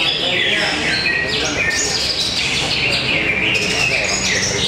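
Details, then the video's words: Greater green leafbird singing at a bird-singing contest arena in Tapos, Depok, Indonesia: dense, continuous, varied whistled and chattering phrases sweeping up and down, with crowd noise and low background murmur underneath. "Serunya pertarungan burung cocak ijo"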